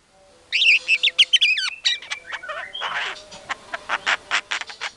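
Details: White-rumped shama in a lively lure recording meant to make other shamas answer and get agitated: a rapid tangle of high, sweeping whistled notes, a slurred falling phrase, then a run of harsh rasping chatter bursts.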